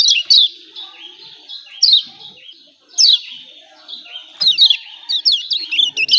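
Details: High, falling chirps from a yellow white-eye of Lombok, spaced about one to one and a half seconds apart, ending in a quicker string of sharp notes; 'ciak ciak' calling.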